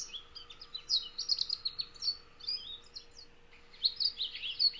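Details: American goldfinch song in early spring, northeast Ohio: a long, rambling run of high twitters, chirps and sweet warbles with no set pauses, over a faint steady hum.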